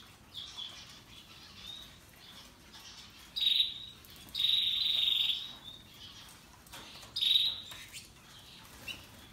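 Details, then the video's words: Russian yellow and Timbrado canaries singing: soft background chirping interrupted by three loud, shrill trills, the middle one held for about a second as a steady buzzing roll. "Canaries Paradise Song Sound"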